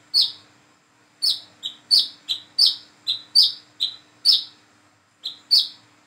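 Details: Single plain-throated sunbird practising its calling while learning to sing; bright, high, slightly falling chirps alternating with shorter lower notes, delivered in a quick irregular series with a brief gap near the end over a low steady hum.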